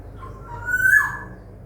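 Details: Zebra dove from a breeding farm in Semarang, Indonesia: a single bright whistled phrase that rises, peaks loudly and then drops away in a falling slur, over steady low background noise.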